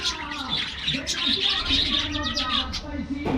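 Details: Aviary budgerigars being given a morning diet treat chirp rapidly in bright, scratchy high-pitched bursts, many birds at once, with faint low cooing tones beneath.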